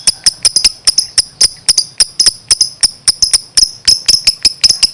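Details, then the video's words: Lovebird singing energetically, giving short, sharp, ticking chirps about four per second in a steady, even series. "suaranya gacor love bird"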